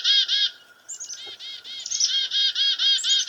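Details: Black-capped Chickadee (Poecile atricapillus) alarm-scolding at a goshawk preying on a dove near a farmhouse: a rapid run of harsh, buzzy dee notes, about five a second, mixed with a few thin, high slurred notes.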